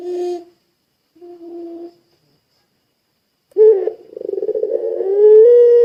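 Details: Barbary dove of the long-voiced puter pelung style, used to spur other doves into calling. Two short, level hoots are followed by a pause, then a rough, rolling coo that swells into a long, sustained, slightly rising tone.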